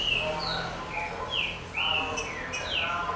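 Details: Green-winged saltator (trinca-ferro) giving a steady run of clear whistled notes, each a short slur that dips or rises, about two notes a second, with a low hum in the background.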